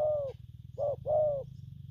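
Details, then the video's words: Spotted dove described as a newly caught bird, cooing in the styles called gù phóng, gù kèm and gù lăn: a mellow falling coo, a short note, then a longer falling coo, over a steady low hum. "Bổi nước gù phóng, kèm, gù lăn săn"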